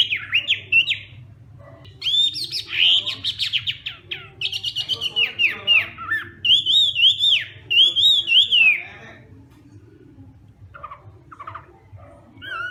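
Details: Hwamei in morning song practice, bursts of loud slurred whistles and buzzy trills in repeated phrases, broken by short pauses and quieter scattered notes toward the end, over a low background hum.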